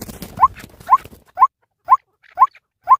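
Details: White-breasted waterhen giving short clipped notes at a steady two per second, after an opening of scratchy noise.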